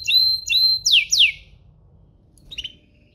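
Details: Domestic canary singing to provoke other canaries: a few level whistled notes and two steep falling sweeps, then a pause and a faint short chirp.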